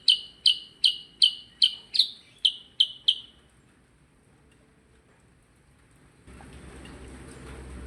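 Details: Percang bird singing actively: nine crisp, falling chirps in steady rhythm over about three seconds, then near silence, then broad hissing noise takes over.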